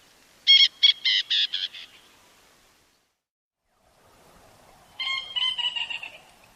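A francolin gives a quick series of harsh, cackling notes, then a second rattling burst.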